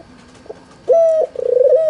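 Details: Albino white Barbary dove with red eyes, played as a lure to get reluctant doves calling: a faint note, then a short clipped higher note followed by a loud, steady, slightly rolling coo.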